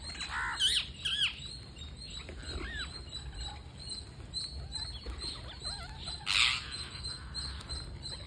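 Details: Parakeet begging while being fed: harsh, rasping bursts and bent chirps, loudest near the start and again around six seconds, over a steady hiss and constant high electrical whine.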